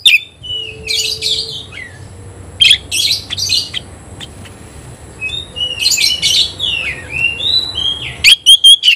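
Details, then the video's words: Oriental magpie-robin (kacer) singing at a rival: mostly soft, spaced whistles and brief buzzy phrases, then a sudden loud run of sharp repeated notes in the last second. "kacer gacor ngobra KONSLET nembak lawan tarung"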